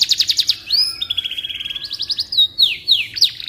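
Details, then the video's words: Canary song serving as tutor for magpie-robins: quick pulsed trill, a long steady buzzy roll, then several sharp downward whistled swoops. "Suara Burung Kenari Cocok Untuk Masteran Burung Murai Batu"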